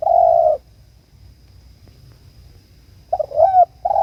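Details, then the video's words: Spotted dove calling its companion: one mellow, steady coo at the start, then after a long pause a broken run of short coos leading into another drawn-out note, with a faint low hum beneath. "PANGGILAN SUARA BURUNG || TEKUKUR ||DERKUKU MEMANGGIL TEMAN ||LAWAN"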